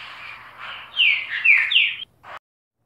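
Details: Single phrase of three loud, descending whistled notes from a green-winged saltator, preceded by faint murmur and ending abruptly.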